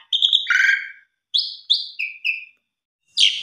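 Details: Asian pied starling lure song with 'mompa' fills: a burbling phrase and a lower buzzy note, then a run of short clear whistles stepping down in pitch, and a final harsh burst.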